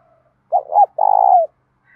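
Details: Spotted dove cooing in the 'đồng' voice style with a touch of 'thổ', a call used to train and provoke other doves: two short hooting notes, then a long, purring, pulsed coo that slides down at the end.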